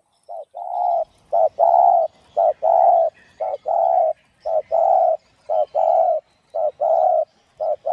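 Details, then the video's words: Spotted dove calling 'gáy thúc gù' in the 'giọng đồng' voice, used to stir decoy birds. A rapid run of deep coos pairs short notes with longer rolling ones, about one per second, with faint background twitters. "Cu Gáy Giọng Đồng Chuẩn GÁY THÚC GÙ Kích Mồi Tập Bổi Ức Chế.Tiếng Cu Kích Trống"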